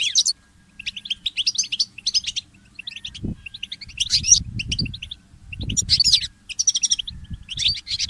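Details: Goldfinch hybrid, a goldfinch mule, singing at dawn in short twittering phrases of quick chirps and trills, separated by pauses, with a few soft low thuds in the background.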